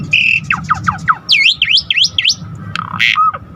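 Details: Asian pied starling lure song meant to provoke other starlings: a varied string of slurred whistles, falling then rising in pitch, then a wavering note, over a low steady hum.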